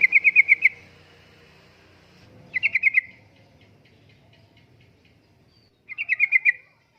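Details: Sooty-headed bulbul song in the 'uplik-uplik' style, played as lure and tutoring material for caged birds: short bursts of fast, evenly repeated bright notes, three bursts spaced a few seconds apart, with faint background hum.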